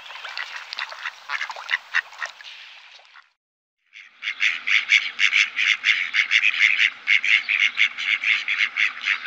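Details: Mallard quacking: a busy jumble of overlapping quacks, a brief silence, then a rapid, fairly even series of nasal quacks, about two per second, ringing and harmonic.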